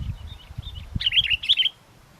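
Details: Sooty-headed bulbul singing lively despite strong wind during bird luring: after a second of low wind rumble, a short burst of bright chirpy whistled notes, several quick phrases together.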